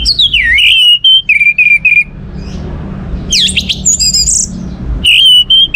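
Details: Lure recording of orange-headed thrush song meant to get other birds singing: a descending whistled slur, then short repeated whistled notes, a high jumbled chatter, and more level whistles.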